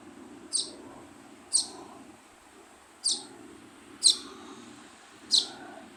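A young sparrow gives five short, high, sharp chirps, roughly one a second, each a quick bright tick; a low steady hum lies underneath.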